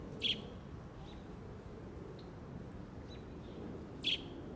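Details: American robin fledgling calling for its parent: two sharp, high chirps about four seconds apart, with fainter peeps between, over a steady low rumble of background noise.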